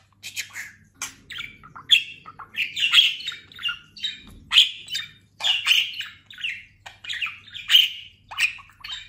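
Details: Talking pet budgerigar, recently molted and now quite fat, giving loud bright chirps and buzzy squeaks repeated in quick clusters, roughly one burst per second, in a lively warbling run.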